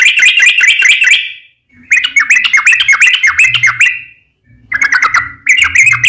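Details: Sooty-headed bulbul lure song to make other bulbuls sing: fast chattering phrases of whistled notes separated by short pauses, with a faint low hum underneath.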